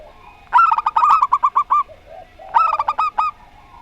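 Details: Two phrases of zebra dove song, local Rondo Semoyo style set against a strange-voiced bird, the first a loud run of about nine quick, ringing coo notes, the second shorter and equally crisp.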